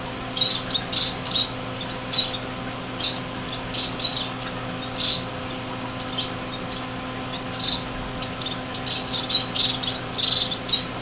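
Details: Six baby finches in a greenhouse in January 2007, on the day they left the nest and could fly a little: short high chirps in scattered bursts, some doubled, over a faint low steady hum.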